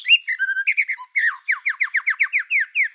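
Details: White-rumped shama, black-tailed, singing to agitate other shamas: whistled notes give way to a steady fast series of down-slurred whistles repeated several times a second.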